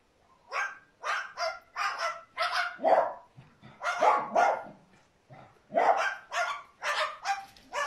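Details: Cockatoo mimicking dogs, letting out short, rough bark-like yelps one after another about every half second, in two runs split by a brief pause.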